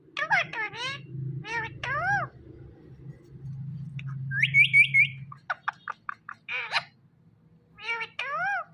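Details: Talking Indian ringneck parrot said to repeat "Mithu": raspy, multi-toned squawks and chattering bursts, a quick run of high shrill notes, then more squawks over a steady low hum.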